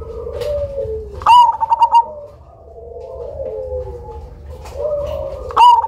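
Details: Loud Cemani-type zebra dove with a unique rhythm, kept as a lure bird: an abrupt note opens a rapid series of five or six pulsed coos. A second phrase begins near the end over soft, sliding lower coos.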